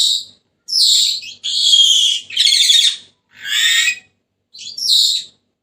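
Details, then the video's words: Senegal parrot screeching almost without pause: six harsh, rasping bursts about one per second, some drawn out and noisy, high-pitched throughout, with no other sounds. "تغريد ببغاء السنيغالي the sound of the parrot senegal"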